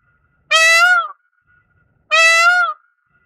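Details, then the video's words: Indian peafowl (Pavo cristatus) calling twice, each a loud trumpet-like, slightly rising then falling wail of about two-thirds of a second, strongly harmonic, separated by a one-second pause in a quiet setting. "藍孔雀/Indian Peafowl"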